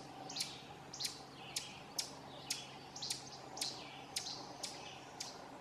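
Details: Scolding Ovenbird recorded in Essex County, Vermont, at Silvio O. Conte National Fish and Wildlife Refuge on June 18, 2016; a steady run of abrupt, piercing chips, roughly ten in under six seconds, evenly spaced.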